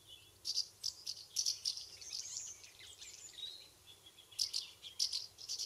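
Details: House martins in flight around their UK nest site during summer, giving high, dry twittering rattles in quick clusters, a busier chattering run in the middle and more bursts near the end, with faint background noise.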